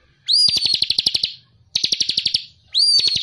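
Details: Ciblek cristal, the bar-winged prinia, in lively ngebren song for training songbirds: three bursts, each opening with an upslurred whistle and running into a fast rattling trill, separated by short pauses.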